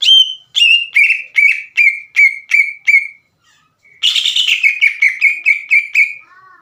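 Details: Green leafbird song used to stir other leafbirds to sing: a steady series of ringing downslurred whistles, a short pause, then a harsher, denser burst flowing into more repeated whistled notes, ending with a soft descending trill.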